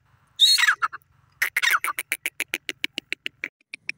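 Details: Grey francolin, called irani teetar, giving a harsh squawking opening followed by a long series of short clipped notes that slow and fade toward the end.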